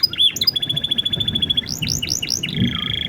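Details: Canary master song in the cengkok "blak strut" style, meant to prompt other birds to sing. A fast, even trill of high piping notes leads into repeated upward-swooping whistles and ends in a rapid rattling trill over a low background hum.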